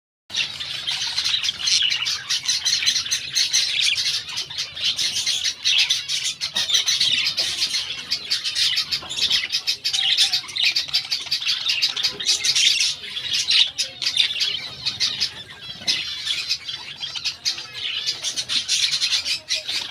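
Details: Budgerigars in breeding time chatter nonstop in a dense stream of high warbles, chirps and squawks.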